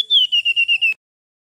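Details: A male mangrove whistler gives a brief burst of about six quick, pure whistled notes on a nearly level, slightly falling pitch, ending abruptly into silence.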